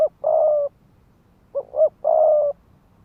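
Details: Decoy spotted dove in the fast 'thúc gù' cooing style used to provoke males to fight: a long, level hoarse coo, then a paired short note and another drawn-out coo.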